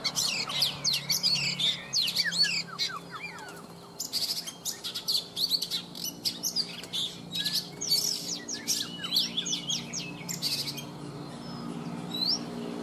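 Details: Oriental magpie-robin, an old bird caught in the wild and caged three seasons, in morning song: a long, dense, varied run of sharp whistles, quick slurred sweeps and scratchy chips, almost continuous.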